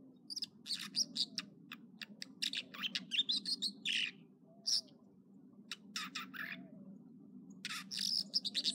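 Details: American dipper singing in the morning at Echo Lake in the Trinity Alps, California: rapid high bursts of varied, sharp chirps and buzzy notes, with a few rising slurred phrases between pauses, over a steady low background rumble.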